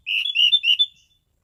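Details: Orange-headed thrush, a caged songbird, delivers a one-second phrase of four or five loud, slightly burry whistled notes joined together at a steady pitch.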